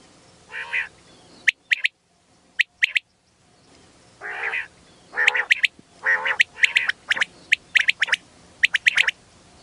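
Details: Quail calling, used for luring birds in mountain hill areas: sharp, high clipped notes in pairs and triplets alternating with harsh, nasal buzzing bursts, about one burst per second over a quiet background.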